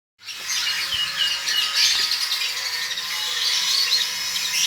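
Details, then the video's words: Lovebird about one and a half months old, described as already 'konslet', giving a dense, continuous high-pitched chatter of squeaky chirps and trills throughout, with no pauses, against a faint low hum. "Ayahab love bird 1,5 bln udah konslet"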